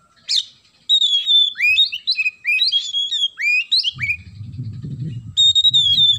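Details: Oriental magpie-robin singing, with sparrow-style phrases worked into its song: loud whistled notes sliding up and down, quick repeated phrases with sharp upward flicks, and a low rumbling background noise from the middle onward.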